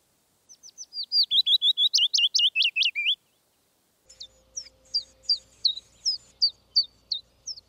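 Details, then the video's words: Willow warbler (Phylloscopus trochilus) song: two phrases of sweet, high, slurred notes, the first loud and gently falling, the second fainter over a low hum. "Пеночка-весничка / willow warbler (Phylloscopus trochilus)"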